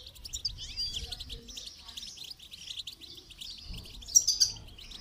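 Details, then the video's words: Goldfinch song during training: a steady flow of quick twitters and trills ends in a louder, ringing burst near the close. "Motivational rewards for training goldfinch to song"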